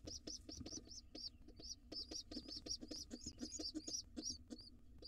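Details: Wild pigeon chick at breakfast time with its father inside a nest box; high squeaky chirps repeat rapidly in near-continuous runs, some with quavering ends, over low knocking and shuffling.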